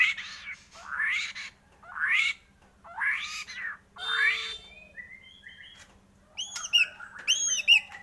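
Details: Lure recording of white-rumped shama song to stimulate singing: a series of harsh, broad rasping notes about once a second, then brief whistles and high, arching chirps toward the end.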